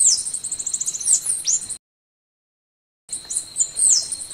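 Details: Golden-winged sparrow song of high, sibilant, quickly repeated notes ending in sharp falling chirps, broken by a silent gap, with a constant thin whine in the background.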